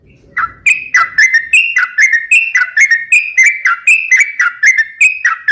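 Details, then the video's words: Sooty-headed bulbul singing as a lure and training song: a steady sequence of bouncy whistled phrases, notes swooping down and back up, repeated at a brisk regular pace, with a brief low rumble at the start. "suara trucukan gacor"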